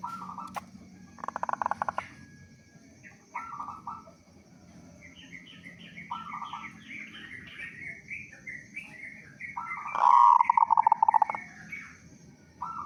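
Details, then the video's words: Local zebra dove with a big voice, singing as a lure to make other doves call. Short trilled coo phrases repeat among busy chirping from other small birds, ending in a loud quick run of staccato coos. "Perkutut Lokal Gacor Suara Besar Pancingan Burung Perkutut Agar Cepat Bunyi"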